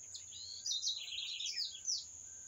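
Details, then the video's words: Bright, twittering bird phrase of rapid, jumbled high notes that waver and drop slightly, lasting about a second and a half, over a continuous shrill background tone. "Canto dos pássaros"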